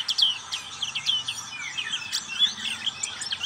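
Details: Black-capped white-eye singing ngriwik: a fast, continuous high twitter of rising and falling squeaky notes and slurs, with hardly any gaps.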